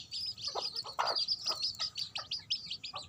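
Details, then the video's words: Hen together with her young chicks: rapid high-pitched cheeping from the chicks in quick bursts, with occasional low clucks from the mother underneath. "Mother chicken with baby chicks."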